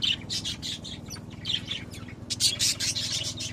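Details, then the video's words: A group of pet budgerigars twittering in quick, scratchy chirps and warbles, almost continuous, above a constant throbbing low hum. "Naše anduličky"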